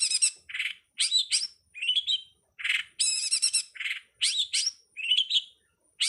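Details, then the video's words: Master recording of a long-tailed shrike (cowet, codet, pentet) meant for training songbirds. Varied medley of sharp chirps, rasping buzzes, lower husky notes and a fast harmonic rattle, delivered continuously with brief gaps. "suwara masteran burung cowet/codet/pentet"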